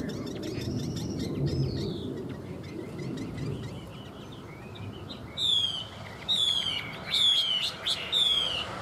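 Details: Caged Chinese Hwamei for sale, described as tail-fanning with strong fighting spirit; after a noisy start with faint twitters, it gives a string of loud, clear, descending whistles repeated about once a second.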